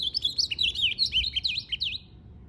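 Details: Ultramarine grosbeak in fighting spirit: a brisk, unbroken chain of high slurred whistles, each note swooping down and up, lasting about two seconds before trailing off into quiet hum.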